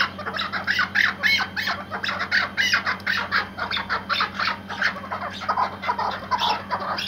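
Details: Iraqi white hunting partridge, kept as a tethered decoy, delivering a dense run of loud, raspy cackles that crowd together with barely a pause, over a low electrical hum.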